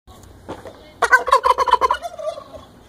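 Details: Turkey strutting around a yard and showing its feathers gives one rapid, rattling gobble lasting about a second, after a brief knock, then a short lower trailing note.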